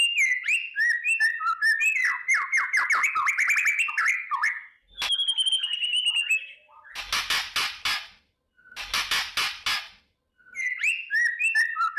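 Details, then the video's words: White-rumped shama singing in the morning to raise a fighting mood: dense rapid whistled trills, a long high whistle, then rhythmic harsh rasping bursts in pairs and triplets, song resuming at the end. "kretekan dahsyat❗murai batu gacor pancingan pendongkrak emosi dan fighter pagi hari burung murai"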